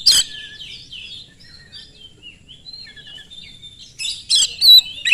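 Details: Oriental magpie-robin singing fast and loud as a lure to make other magpie-robins answer: a harsh burst opens, then a run of varied whistled slurs and trills, ending in more rasping bursts and sharp high whistles.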